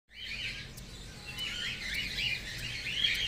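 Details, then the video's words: Baby cockatiel calling: a steady stream of soft, scratchy chirps and warbling notes, repeated rapidly and overlapping, with faint low background hum. "baby bird"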